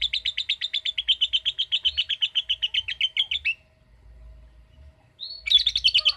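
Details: Lovebird answering a calling recording with a long ngekek trill, rapid even chattering pulses for three and a half seconds, a short pause, then the trill starting again.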